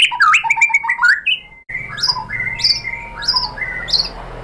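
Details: White-rumped shama (murai batu) lure song (pancingan) meant to make other shamas respond. A fast flurry of rich varied whistles opens, then slower separate whistles and high sharp notes continue over a background hiss.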